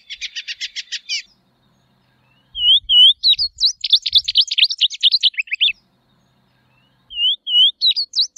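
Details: Tropeiro seedeater (Sporophila beltoni) delivering a buzzy rattling trill, then after a gap a few soft slurred whistles leading into a long run of rapid, sharp, downward-sweeping notes; a brief whistled phrase returns at the end.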